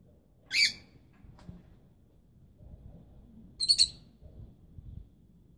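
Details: Two separate high, harsh chirps from rosy-faced lovebirds, young birds and nesting parents, three seconds apart against a quiet low rumble.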